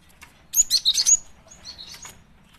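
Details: Female cinereous tit calling as a lure: one quick cluster of four or five piercing, high, slurred chirps, followed by softer, thin whistled notes that fade away.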